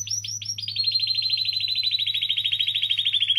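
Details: Canary song played to stimulate other canaries to sing: a few rising notes, then a long rapid trill of repeated high chirps, slowly dropping in pitch, with a steady low hum behind.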